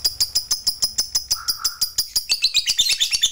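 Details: Lovebird stirred up by a lure recording, giving a long chattering song: fast high-pitched chirps repeated about three times a second, then a denser, busier twittering run near the end, with steady ticking pulses underneath.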